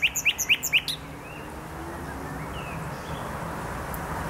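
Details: In the Poznań botanical garden, Poland, a nightingale delivers a brief run of about six rapid, clipped notes, then falls silent over faint background hum.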